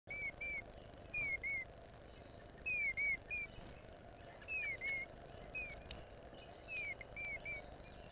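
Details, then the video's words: Female Eastern Bluebird singing persistently in the early morning on April 14th, 2020, recorded by a bird camera; soft whistled phrases of two to three short falling notes, repeated every second or two, over steady low background hum. "female Eastern Bluebird singing"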